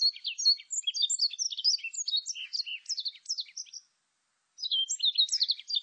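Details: Warbling white-eye song from a 2020 recording: long, rapid tumbling phrases of thin, high twittering notes, a near-continuous warble of about four seconds, a brief pause, then another hurried phrase. Clean background.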